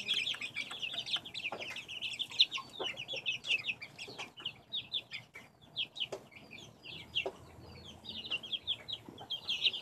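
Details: A flock of backyard chicks, filmed in 2015, chirps in a steady high-pitched chorus of brief cheeping notes, some downward-slurred, pulsing in waves with faint low rumble beneath.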